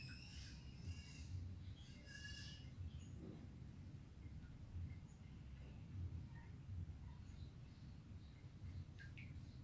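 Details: Olive-headed Lorikeet (Trichoglossus euteles) feeding: two bursts of shrill, buzzy screeches, then scattered faint chirps, over a steady low rumble of wind or handling noise.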